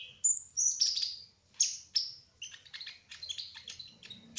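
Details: Singing hummingbird, a spotted 'trotol' kolibri ninja, delivering high, thin chirps and short whistled slurs, some falling, in quick uneven bursts of about three per second, with brief gaps between phrases.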